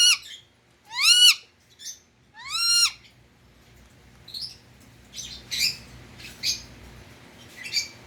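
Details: Pet Indian ring-necked parrot: two strong upswept screeching calls early on, then softer, shorter chattering notes trailing off.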